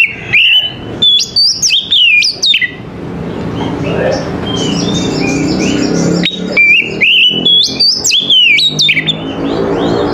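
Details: Oriental magpie-robin (kacer) singing in the morning: two loud bursts of quick, varied whistles and slurred notes, with a quieter middle section of softer chirps and hum.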